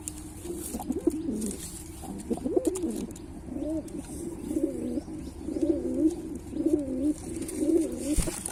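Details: Pilkha pigeon giving deep throaty coos, first a few rolling swells, then a run of shorter wavering coos repeated roughly once a second, with a faint click near the end.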